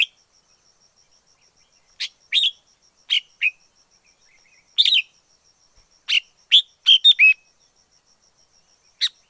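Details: Wild red-whiskered bulbul singing: short, bright warbled phrases of two to four quick slurred notes, separated by irregular pauses, over a faint steady high tone and an otherwise quiet background.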